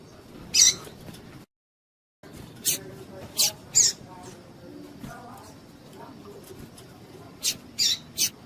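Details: Female double-collared seedeater call used to excite males: short, very high, sharp chips given singly or in quick pairs at irregular intervals, over a steady low background hum.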